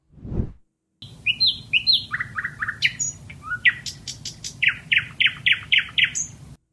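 Common Nightingale singing a rich, varied phrase: slurred whistles, repeated downslurred notes and sharp clicks in quick succession, after a brief low thump.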